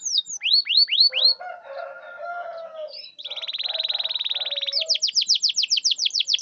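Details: Canary lure song for getting silent canaries to sing back: a few loud falling whistles, a soft buzzy warble, a long, even, rapid rolling trill, then quick sharp downslurred notes repeated in a run.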